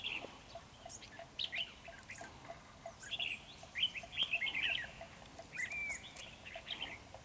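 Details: Red-whiskered bulbul at a trap with a decoy, the 'Ché' bird singing hard: clusters of chirpy whistled notes, some sliding downward, bunched in the middle with brief gaps, light background hiss.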